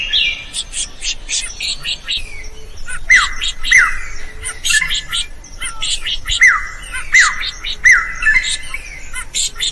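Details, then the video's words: Drongo song used for training other birds to sing, mixing scratchy, buzzy chatter with sharp metallic notes that drop steeply in pitch, several repeated at irregular intervals of about a second. "SUARA SRIGUNTING GACOR COCOK BUAT MASTERAN.burung lain akan ikut gacor"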